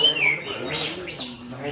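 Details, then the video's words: A Chinese hwamei that has just finished molting and sings all day gives loud, clear whistled phrases: a high falling slur, then rising and falling notes in quick succession, with faint voices in the background. "Hoạ mi đạt đất hót cả ngày"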